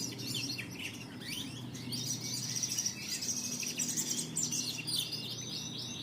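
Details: Canary lure song from the Indonesian song-bird hobby: a dense run of high chirps, rapid trills and whistled sweeps that rise and fall without pause over a low background hum.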